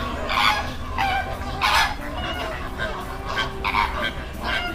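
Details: Greater flamingos at a backwater in Bagalkot, India: harsh, goose-like honks from several birds, irregular at about one and a half per second, over a steady low rumble of wind or water.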